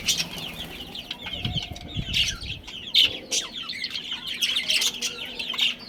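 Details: Chirping budgerigars in a breeding colony: a run of quick, rhythmic warbled notes with occasional sharp squawks, plus low rustling or wing flutter in the background.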